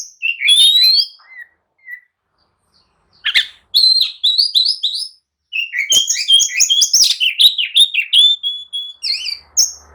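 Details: Oriental magpie-robin singing in agitation to make others answer and fight: whistled phrases, a pause, then loud repeated rising notes and a dense rapid sequence of varied chirps and whistles.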